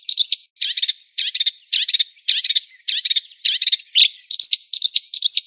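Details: White-rumped shama song mixing buzzy chattering bursts with clear looping whistled notes repeated near the end, high-pitched and lively.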